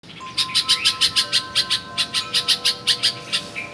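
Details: Bulbul singing at a home in Karachi, Pakistan: a steady run of short bright chirps, about five or six per second, with a faint steady tone in the background.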